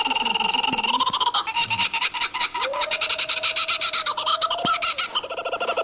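Kookaburra giving its laughing call: loud, harsh, rapidly repeated chuckling notes that run on without pause, with a steady whistle-like tone underneath for a few seconds.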